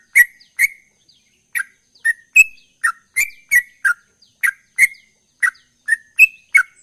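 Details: Sooty-headed bulbul singing gacor ropel, the chattering style said to bring an immediate response. Irregular runs of liquid chirps with sharp ticks, including two higher whistled notes, with a short pause near the start.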